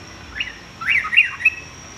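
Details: Sooty-headed bulbul song for training young males in varied singing: one short slurred note followed by a quick, warbled phrase of rising and falling chirps, over a faint steady high hum.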